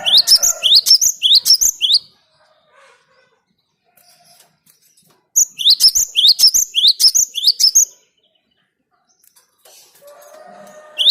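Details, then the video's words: A cinereous tit, recorded as a bird-luring sound, gives two phrases of fast, regularly repeated rising whistles with a quiet gap between, plus some faint low background chirping at the end. "Suara Gelatik Batu ini Ampuh buat Pikat"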